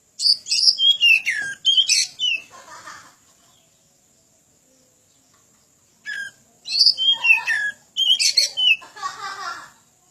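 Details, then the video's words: Oriental magpie-robin (kacer) song for training other birds: two bursts of quick varied whistles and descending slurs with buzzy notes, separated by about three seconds of quiet. "Suara panjingan masteran burung kacer gacor"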